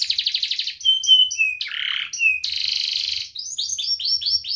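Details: Canary singing in the ngerek style, used as a lure to prompt young learning canaries and lazy canaries to sing: rapid pulsed trills, a long level whistle, buzzy rasping notes and a series of quick rising chirps, all high-pitched and continuous.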